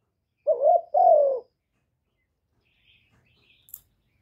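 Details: Spotted dove decoy calling to stimulate other kept doves: one two-part cooing phrase, a short low note then a longer wavering, falling coo, followed by near silence with a few faint ticks.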